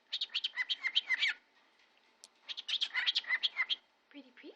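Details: A pet male cockatiel chatters in two quick bursts of high, scratchy, word-like syllables mixed with chirps, talking about how pretty he is with phrases like "pretty pretty" and "I love you."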